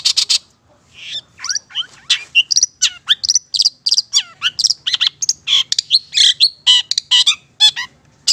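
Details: Long-tailed Shrike from Madura pouring out a continuous varied song, about two notes a second, mixing squeaky whistles, zigzag slurs and scratchy chirps, meant for training captive birds.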